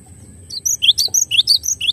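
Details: Cinereous tit (glatik batu) in a clean tutor recording. It delivers a quick series of about eight sharp, high whistled notes, each falling in pitch, in a bouncy repeated rhythm after a brief silence.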